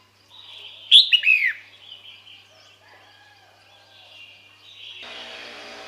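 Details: Female red-whiskered bulbul calling males to come: a single quick series of clear chirping notes, each slurring downward, then faint background rustle and hiss toward the end.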